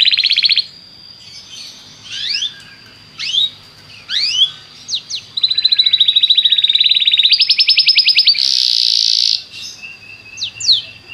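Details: Belgian canary song used to make other canaries sing: a varied sequence of fast trills, rising and falling whistled sweeps and buzzy rolls, with short pauses between phrases and a harsher burst near the end.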